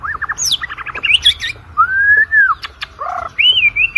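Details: A white-rumped shama gives lure song for training contest birds: quick chattering whistles, then a long smooth whistle that rises and falls, a few sharp clicks, a low burry note and a final high slurred whistle.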